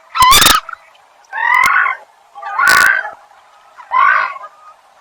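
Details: Common coot giving loud, nasal, honking calls, four separate hoarse notes about a second apart, each slightly wavering, with sharp clicking noises at the start of some calls.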